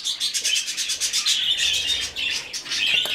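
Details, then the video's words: Hand-fed rescued budgerigar chick giving fast, evenly spaced rasping begging pulses, like rapid scraping, then a longer buzzy stretch. "Выкармливание птенца волнистика."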